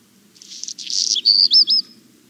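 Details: A Black Redstart singing in a village very early, before dawn: a dry, crackling scratchy burst, then three or four clear, high whistled notes, all within two seconds, over a faint low hum.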